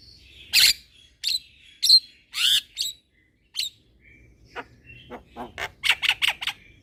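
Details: Young Javan myna singing steadily and nodding its head, used as a tutor track for birds: loud broad rasping squawks spaced about half a second apart, then softer clicks building into a fast run of buzzy notes.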